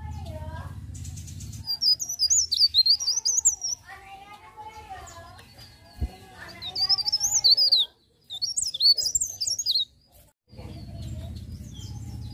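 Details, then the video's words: In the morning, a leaf warbler pours out shrill, zigzagging whistled phrases in a rolling 'ngerol' style, separated by softer mid-pitched chirps, brief silences and stretches of low background hum. "cikrak daun ngerol pagi hari"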